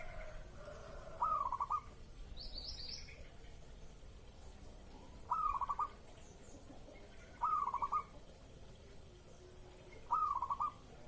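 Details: Zebra dove coo used as a lure sound, bird in breeding condition: four evenly spaced phrases roughly every two to three seconds, each an emphatic opening note dropping into a quick stuttered series of soft notes; a small bird twitters briefly.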